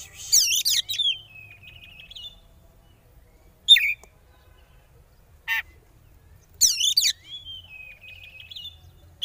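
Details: Oriental magpie-robin, kacer, singing a 'konslet' lure to spur rivals: a wavering high burst trailing into a long, thin level whistle, two sharp isolated notes, then the same burst and trailing whistle again.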